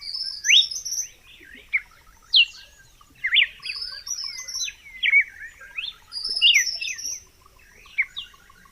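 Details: Clean recording of red-cowled cardinal song: phrases of sharp swooping whistles and brief warbled notes, while other birds keep up thin high chirps and a soft rapid ticking throughout.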